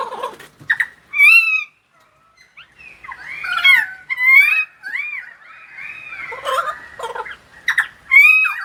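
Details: Pied currawong singing in rainy weather in Sydney: clear, loud whistled and slurred notes, several rising swoops and warbled phrases given in bursts, separated by brief silences.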